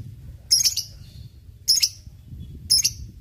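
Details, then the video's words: Lovebird, fighter type, in a ngekek training recording: three sharp, piercing high chirps spaced about a second apart over a low rumbling background. "Auto ngekek Pancingan lovebird fighter ngetik ngekek untuk pelatihan lovebird bahan rajin ngekek"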